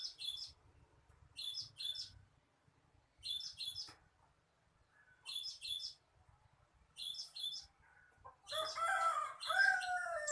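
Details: Cinereous tit song played to lure birds: a high two-note phrase, repeated quickly, with each group coming about every 1.7 seconds. A rooster-like crowing sound breaks in near the end.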